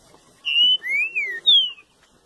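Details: A mutation-colour green-winged saltator, which last year moulted its tail and kept singing, gives a short phrase of three clear, loud whistles: a level note, a slurred rising-then-falling note, and a final descending whistle.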